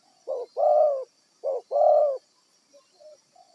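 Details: A wild spotted dove, used to lure other birds for trapping, utters two low coo phrases, each a short note and a longer hoarse coo, then a few faint soft notes.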